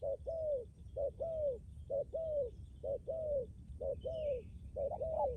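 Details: ['Decoy spotted dove in Lâm Đồng, Vietnam, prized for a firm coo with a lasting finish. Mellow two-part coos repeat regularly, about one per second, and a faint higher bird note sounds in the background.']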